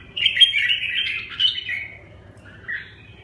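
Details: A red-whiskered bulbul delivers a loud, slightly harsh warbled phrase, dropping in pitch towards its end, followed after a gap by a single short squeaky note over a quiet background hum.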